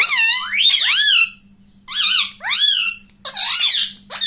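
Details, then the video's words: ['Home-kept talking ring-necked parakeet saying "mummy": a long rough phrase of sweeping nasal syllables, a pause, then two more bursts, the last harsher, over a low steady hum.'] "Mummy ka pyara tota || mithuda || bolta parrot talking video"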